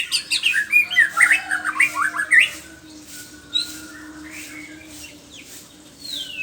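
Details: White-rumped shama singing in the morning: a rapid burst of varied whistled and chattering phrases sweeping between mid and high pitch, then quieter scattered notes and a descending whistle, over a steady low hum.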